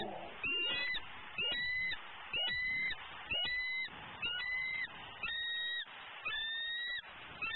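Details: Female eagle at a Southwest Florida nest, vocalizing impatiently and hungrily around 11am while her mate perches nearby eating prey: clear, high, harmonic calls repeated about once a second in even bursts, with a quiet background.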